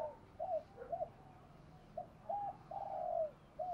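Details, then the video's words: Spotted dove pair, male and female, giving 'gù thúc' coaxing coos used to excite training birds: faint, distant low coos in short broken phrases, one longer falling note, over a steady low background hum. "tieng chim cu moi gu thuc gáy gọi/ chim cu gáy đất giọng bài bản gù thúc"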